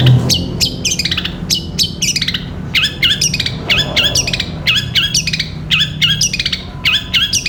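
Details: Long-tailed shrike singing in full voice in the 'Gereja Petir' style, used as a long tutor recording for training caged birds: loud, harsh, rapid chattering bursts of repeated scratchy notes, grouped in quick runs with brief pauses.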